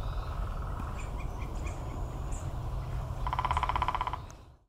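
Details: Downy woodpecker drumming in its classic pattern: a moderately fast, even roll of about twenty sharp taps lasting roughly one second near the end, preceded by steady low rumbling background noise and a few faint chirps.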